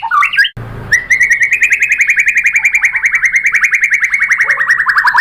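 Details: Brief jumbled notes, then a white-rumped shama sustains a long rapid trill of evenly pulsed whistles, pitch slowly rising and easing down over about four seconds.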